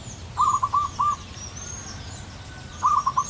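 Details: Wild local zebra dove in full song in the long, crystal-voiced style: two short bursts of quick, mellow cooing notes at mid pitch, three or four notes each, with faint high chirps of other birds and a low steady hum behind.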